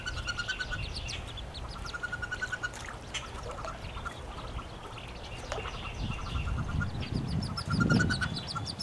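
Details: Newly hatched wood duck ducklings in a nest box, nineteen chicks sharing it with one hooded merganser duckling, spring 2013. Runs of fast thin peeps continue throughout, with knocks and a louder rumbling scuffle near the end.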